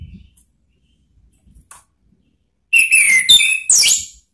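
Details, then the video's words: Orange-headed thrush, known locally as anis merah, singing to provoke rivals: a short burst of clear whistled phrases and sliding notes near the end after near silence. "SIULAN ampuh ANIS MERAH MEMANGGIL LAWAN ¦ PANCINGAN NGEPLONG"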